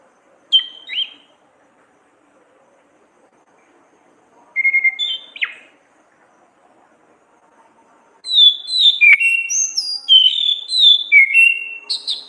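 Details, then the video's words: Orange-headed thrush in full ngeplong, ngriwik song, kept as a tutor recording for cage songbirds. Two short whistled phrases are separated by pauses, then a rapid stream of varied high whistles, slurs and twittering notes runs on without a break. "burung Anis kembang ngeplong gacor ngriwik"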